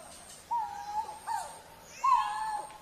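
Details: Three clear, level moaning hoots from a coral-billed ground cuckoo, spaced under a second apart, the last one loudest and slightly longer.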